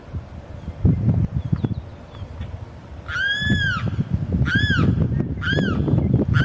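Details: Limpkin male calling for a mate: after a few seconds of low rumble and faint clicks, a run of four loud, arched, wailing cries follows in quick succession, each swelling up and dropping away.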